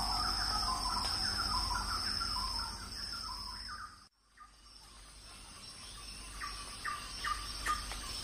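A magpie-robin sings varied whistled phrases, mid-pitched and fairly quick, pausing briefly mid-way, over a steady high insect drone of forest cicadas.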